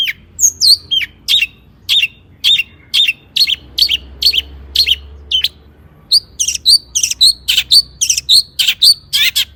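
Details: Long-tailed shrike (cendet) song meant to provoke shrikes: a steady series of short high chips and downslurred whistles, spaced about every half second, then a faster burst of sharp whistled notes.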